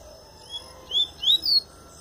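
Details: Double-collared seedeater singing pure tui-tui style while finishing its molt: a soft opening whistle followed by three louder, clear upslurred notes climbing in pitch.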